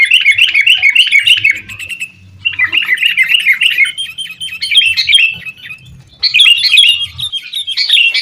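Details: Busy sooty-headed bulbul chatter used to stir caged bulbuls into song. Dense, scratchy twittering phrases with a gap near two seconds and another before a final shrill burst.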